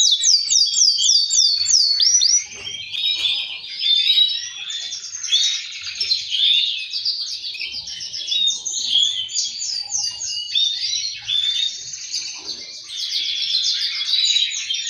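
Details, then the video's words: Several male canaries sing together, one leading and others answering, to push birds toward breeding: quick descending trilled bursts, then dense overlapping warbles and rolls at high pitch with little pause. "تغريد فحول كناري الازعاج الذي يحتاجه طيورك لتحفيزها على الانتاج"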